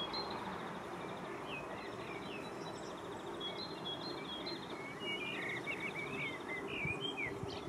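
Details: Thin, high European robin song of quick twittering trills and sliding whistles, changing phrase to phrase, half-buried under a steady low rumble, in Île-de-France, France, 2024.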